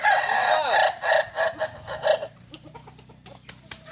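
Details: At a crowing practice gathering in Ampang Kualo, Solok, a Kokok Balenggek rooster gives a run of pulsing, stepped crow notes that stop abruptly, followed by quieter background clicks and knocks.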